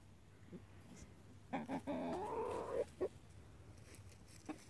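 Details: Foraging chickens turning horse waste for larvae and worms give a few scattered clucks and a longer wavering squawk, with soft background noise throughout.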